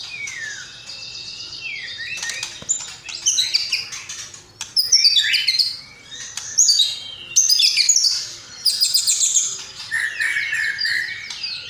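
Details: Gacor white-rumped shama (murai batu) in a masteran recording mixed with sparrow, lovebird and kapas tembak phrases: opening downslurred whistles, then bursts of loud high jumbled twittering separated by short pauses.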